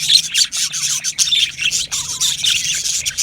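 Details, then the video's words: Aviary colony of yellow male budgerigars giving fast, scratchy warbling chirps in pulsing bursts, a few clear whistled notes poking through the steady chatter. "Beautiful Yellow Male Budgies Birds Chirping sounds"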